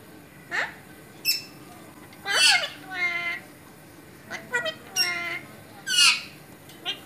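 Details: A talking Alexandrine parakeet utters a few separate speech-like phrases, each a cluster of harmonic, voice-like syllables with sharp high edges, separated by short quiet pauses in a quiet room.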